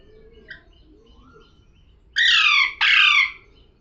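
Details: A talking parrot utters two drawn-out, rasping, speech-like syllables back to back after a faint, quiet start.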